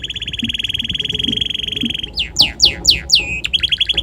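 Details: Tame red canary singing contentedly outdoors in a garden: a long rapid rolling trill of repeated notes, then loud descending slurred whistles and a short fast trill at the end.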